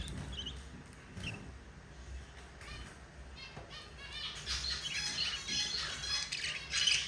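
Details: Four budgerigar chicks being fed by their yellow mother; soft scattered chirps at first, then a dense run of harsh, rapid, wavering begging squeaks building over the last few seconds.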